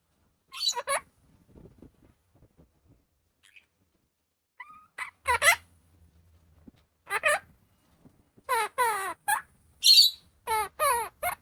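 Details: Opaline monk parakeet talking: a few isolated short raspy chatters early on, then a burst of quick, harmonically rich word-like phrases with rising and falling inflections, separated by brief silences, in a quiet indoor room.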